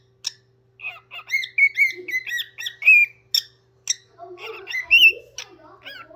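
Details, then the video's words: Parrot singing at home: choppy whistled notes and clicks, a run of wavering whistles, then lower squawky warbles near the end; steady electrical hum underneath. "Parrot singing"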